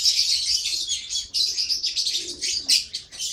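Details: Lovebird giving loud, fast, shrill chirping chatter, nearly unbroken, with a few sharper squeaks near the end.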